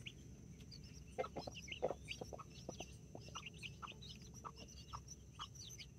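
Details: Brahma and mini chicken chicks with two mother hens in a Colombian backyard, 24 October 2024. Short low clucks pulse irregularly among faint high peeps, over a steady background hum.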